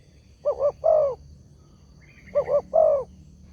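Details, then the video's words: Spotted dove call used as a lure that makes other doves answer: two low hooting phrases, each a quick double coo followed by a longer drawn-out coo, separated by about a second of quiet background hum. "SEMUA BURUNG TEKUKUR PASTI NYAUT DENGAN SUARA INI"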